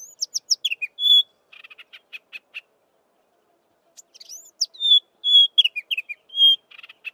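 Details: A Chestnut-vented Warbler sings two quick, high phrases separated by a pause: tumbling clear notes, a short steady whistle, then dry buzzy chatters, with no other sounds.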